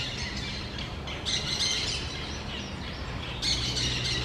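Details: Parrots, a pair among the large trees of a low forest: bursts of harsh, rasping squawks with high chattering tones, coming in two main bouts, over steady outdoor background noise.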